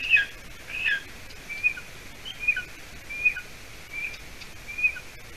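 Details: Young golden eagle calling from its nest in Latvia on an evening in late June 2020 while the adult female delivers a meal; piercing downslurred whistles, some doubled, spaced roughly once per second over faint background hiss.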